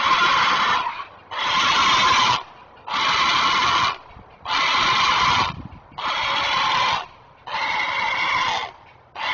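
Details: A great blue heron parent on its nest gives harsh, raspy squawks, each about a second long, repeated six times at a steady pace, alerting while protecting its offspring; it had held this position for 45 minutes.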